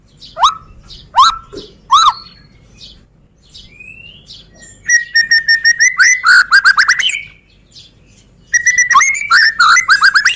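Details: Medan-type white-rumped shama, black-tailed, singing as a lure and tutor to spur other birds to sing: a few separate downslurred whistles, a pause, then fast repeated ringing notes and rich varied whistled bursts, loud and clear.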